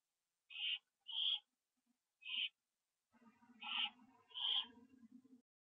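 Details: Evening of September 27, 2011: a pair of owls back at a nest under a live camera. Three raspy screeches, then two more over a lower, droning background sound.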